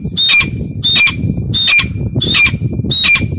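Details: Grey francolin female voice: five loud, piercing two-note phrases, a high whistle slurring down to a lower note, evenly spaced about 0.7 seconds apart above a constant low rumble.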